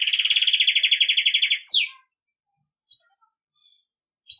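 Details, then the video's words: Belgian canary campainha song for training young birds: a rapid, even, buzzy trill lasting about a second and a half, a sharp falling slur, then silence and a few soft chips. "Canário belga campainha para treinar filhotes"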